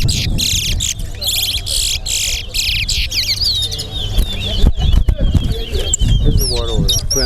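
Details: Towa towa (large-billed seed-finch) singing in a bird race competition at Alligator Pond, two competitors' birds matched against each other. Rapid high buzzy trills and chirps come in quick bursts, then sweeping whistled slurs, over a low murmur of people and background noise.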